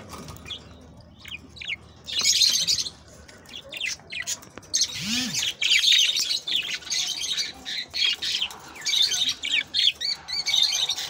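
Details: Budgerigar song used to stimulate mating: sustained high, scratchy warbling and chattering with squawky notes, nearly continuous and dense, several birds overlapping.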